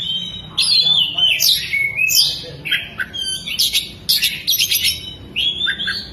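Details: Kept Oriental magpie-robin fanning its tail mid-song: fluid whistled slurs, sweeping down-slides and bursts of rapid scratchy chattering mimicking a lovebird, delivered loudly with few pauses.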